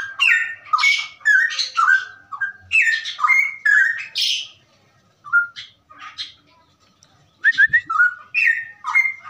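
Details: Straw-headed bulbul (cucak rowo) in the rapid ropelan song style: loud, rich, bubbling whistled phrases sliding up and down, delivered in fast bursts, with a pause of about two seconds midway before the burbling resumes.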